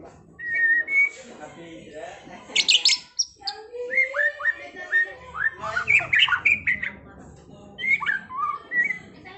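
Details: White-rumped shama singing in trontolan ngerol style: clear whistled notes and downslurred phrases mixed with harsh, buzzy bursts and quick notes, steady low hum behind.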